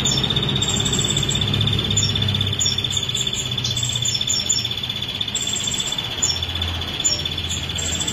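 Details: Continuous thin, fast rattling trill from a female ashy prinia, sung without a break and sprinkled with sharp high ticks, set against a steady low rumble.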